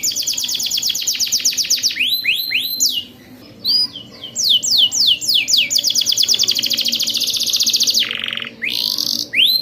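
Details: Canary singing a long rolling training song meant to teach young birds: fast rattling trills of steep downward sweeps, a brief pause, more rolled sweeps, then a low buzzy note and a final burst of high chirps.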